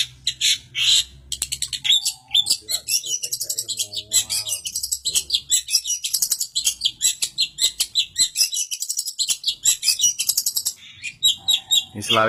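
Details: A long-tailed shrike (Lanius schach) in Samarinda sings a rapid, varied stream of high chirps, twitters and harsh notes, packed densely with little pause; faint voices are heard in the background.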